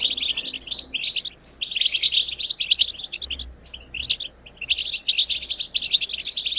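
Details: European goldfinch giving wild twittering song, offered to get goldfinches singing. Sparkling rapid chirps and buzzy jingles come in phrases of one to two seconds separated by short silences.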